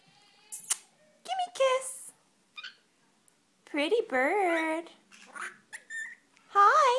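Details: A pet male Senegal parrot chatters back at its owner talking to it close by, in short bursts of wavering, voice-like squawks, sharp clicks and whistles.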